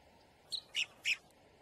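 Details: Boat-tailed grackle giving three short, sharp chirps in quick succession within about half a second, the second and third louder and harsher than the first, over a quiet background.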